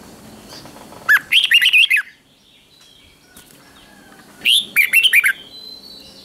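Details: Training recording of Red-whiskered bulbul morning song, 'ché' type: two separate bursts of quick, bright warbling notes with a long quiet pause between them.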